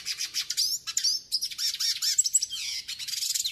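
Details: A northeastern hooded siskin sings to train and warm up other birds. Bursts of high, jumbled twittering alternate with swooping whistled slurs and brief gaps, and the song stays lively throughout.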